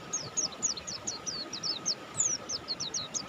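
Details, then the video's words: Softer passage of prolific song from a buxtoni mountain white-eye: a string of high, thin, falling notes, evenly spaced and quick, set against a continuous faint hum. "suara burung pleci Buxtoni gacor"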